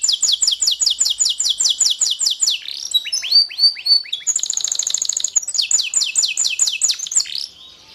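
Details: Singing canary delivering a long, rapid trill of repeated falling notes, then slurred swooping whistles, a dense rattling buzz, and another fast trill before fading into quiet at the end.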